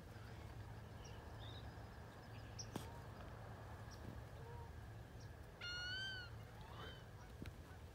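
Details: Wood ducks recorded in 2018; one loud rising-then-falling whistled squeal with bright overtones near the sixth second, a softer one after it, and scattered faint chirps over a steady low rumble.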